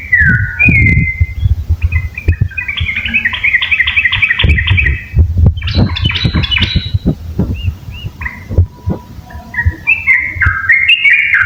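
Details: A pair of yellow-vented bulbuls singing outdoors amid steady low rumbling noise: short whistles, then bursts of rapid bubbly warbling notes, and scattered clear slurred whistles.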